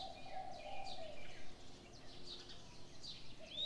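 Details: Birds at dawn, with a low hoarse coo opening, many soft high chirps repeated about four times a second but unevenly, and a bright whistled note closing out the passage.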